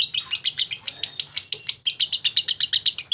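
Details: Lovebird singing ngekek style, quick harsh chattering notes about four per second, a short pause near the halfway point, then the rattling chatter resumes strongly.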